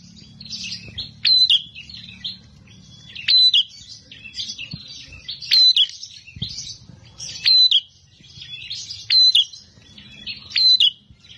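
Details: Bar-winged prinia with a fighter's temper, singing persistently: strident buzzy-whistled bursts recurring about every two seconds, softer chatter filling the gaps, a low hum in the background.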